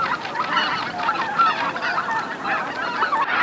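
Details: Flocking greater white-fronted geese arriving at their roost on Miyajima-numa, Bibai, Hokkaido, 2016; a continuous clamour of short, high, laughing honks piled over one another, rising and falling in loudness.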